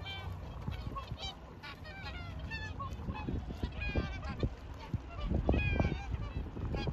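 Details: Whooper swans in Hirakawa, Aomori, Japan, 2021, a flock calling busily with overlapping trumpeting, nasal honks in rapid succession, many birds at once, with low rumble beneath.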